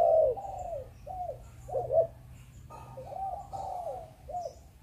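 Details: Spotted dove of the Malaysian line, kept for breeding, cooing in the 'Chụp Chụp Ô' style: soft, mellow, hollow coos in short paired bursts, with a longer falling note, over a faint low hum.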